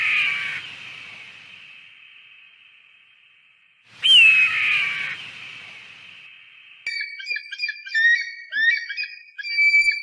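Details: Eagle sounds for repelling pests: a fading harsh cry, then a sharp loud scream, then a run of rapid whistled chattering phrases.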